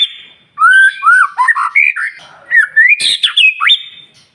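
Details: White-rumped shama singing in the morning to make other birds sing: varied whistled motifs, slurred rising and falling notes, chattery bits and a sharp click near the end.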